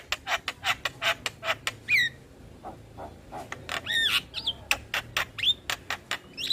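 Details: Javan myna singing, played to coax mynas that have gone quiet: fast rasping clicks and harsh notes interrupted by several sharp, bending whistles, a dense, varied, scratchy chatter.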